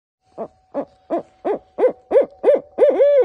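An owl gives a rapid series of about nine short, hoarse, mid-pitched hoots, each roughly a third of a second apart, rising into a longer final note.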